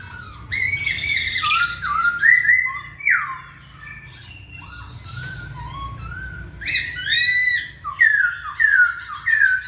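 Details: Masked laughingthrush (poksay Hongkong) in energetic song, used to coax lazy birds into singing; rich whistled and slurred phrases around mid pitch, with harsher squawky notes in between, over a low steady background hum.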